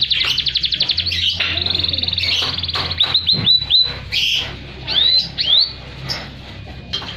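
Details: Canary in full song, used as a master recording to stimulate silent canaries; rapid trills of fast repeated notes, then sweeping whistled phrases and bright chirps, continuous and high-pitched, with a faint low hum beneath.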